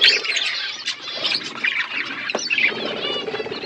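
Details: Budgerigars flocking over winter food, a dense murmur of warbled whistles and scratchy chirps with a short knock partway through.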